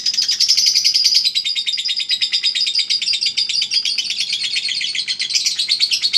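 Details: Singing-contest lovebird of the Eagle Head line producing long ngekek chatter: a steady shrill high trill of quick buzzy notes, continuous throughout with slight shifts in pitch.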